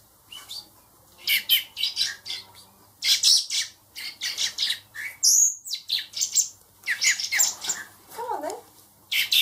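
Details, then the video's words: Four hand-raised baby blackbirds, reared for later release, give harsh, hissy squawks in rapid overlapping bursts, several per second, with brief pauses; a low human voice murmurs near the end. "Baby Blackbirds"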